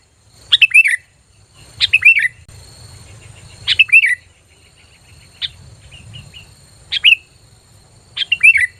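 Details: Sooty-headed bulbul lure call meant to attract other bulbuls; spaced single and paired bright downslurred chirps a second or more apart, with softer short notes between and a faint low hum underneath.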